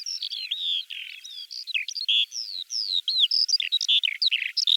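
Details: Russian Eurasian skylark delivering a lively, continuous warbling song of slurred whistles, chirps and short buzzy notes, varied and rapid, pitch constantly shifting, a clean recording with nothing else audible.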